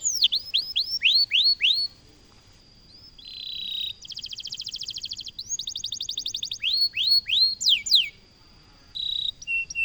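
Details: Canary singing in the vigorous, continuous loper style: bright rising whistled notes, a buzzy rattling trill, repeated downslurred chirps, then short sharp notes after a brief pause.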